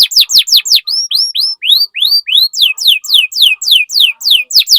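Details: Canary singing to stimulate other canaries: quick falling chirps, then a run of short rising whistled notes, followed by steady repeated downward sweeps about four per second.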